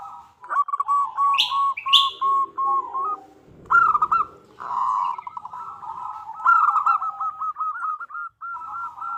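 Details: Female zebra dove calling to a male: fast stuttering coos in short rising-falling phrases, a few sharp higher buzzy chirps near the start, and a soft low rustle midway.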